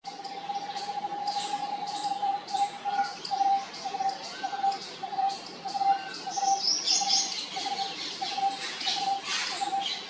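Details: Cuckoo at IIT Kanpur, India, gives a long, even series of mellow, mid-pitched notes, about two per second, while other small birds chirp and twitter high above.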